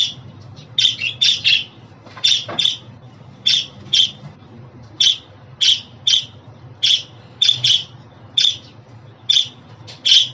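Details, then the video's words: Budgerigar calling with sharp, buzzy chirps repeated at a steady pace of roughly one per second, some doubled, against a soft low background hum. "Muhabbet Kuşu Sesi, Kuş Sesi! Muhabbet kuşu ötüşü, muhabbet kuşu çağırma sesleri!"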